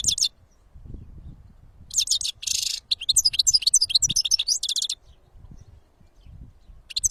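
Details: Wild European goldfinch singing outdoors, with brief high twitters, then a run of rapid liquid, buzzy and tinkling notes for about three seconds, over low background rumble and pauses.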